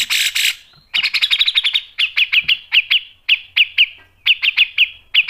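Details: Grey-cheeked bulbul (cucak jenggot) in gacor ngepik and nembak style: a brief harsh burst, then a fast run of sharp piping notes slowing into separate clear, evenly spaced pips, high-pitched and steady.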